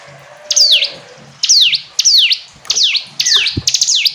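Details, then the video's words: Hill prinia phrases of high descending whistles with upturned ends, repeated about every 0.7 seconds, over faint low background hum and a soft knock near the end. "Ciblek gunung istimewa, hitungan detik dijamin langsung bunyi ‼️ jernih"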